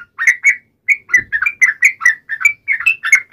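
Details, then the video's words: Fighting song of a yellow-vented bulbul, wild uplik ropel style, used to make bulbuls answer at once; continuous series of liquid, bubbly two-part notes, slightly irregular, with barely any pause. "trucukan gacor TARUNG NGALAS UPLIK ROPEL ini PALING AMPUH bikin burung trucuk gacor NYAUT SEKETIKA"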